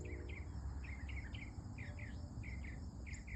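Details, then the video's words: Singing female mockingbird at early morning repeating a quick chirping double note about ten times in under four seconds, each slurring downward, over low steady background noise. "A VERY Happy 😊 Mocking Bird Indeed."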